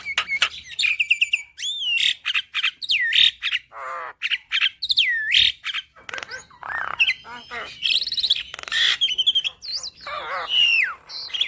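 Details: Lively full isian song of a black-winged starling for training caged birds: rapid mix of clear rising and falling whistles, raspy squawks and clicking chatter, almost continuous throughout.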